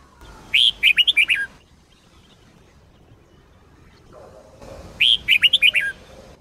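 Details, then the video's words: Sông Kôn red-whiskered bulbul in full, fiery song used as a daily training recording: two crisp phrases of five or six fast whistled notes, spaced about four seconds apart, with a low faint hum in the pause. "chào mào SÔNG KÔN hót cực hay"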